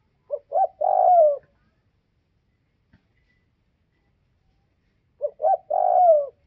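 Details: Spotted dove of the northwest Vietnam type giving two low cooing phrases: two short notes then a long, slightly falling coo, separated by about four seconds of silence in a quiet setting.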